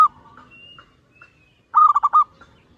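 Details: Local zebra dove used as a master recording to prompt other doves to sing. Faint soft coos first, then one loud rapid burst of four or five hollow, pulsing coo notes near the end.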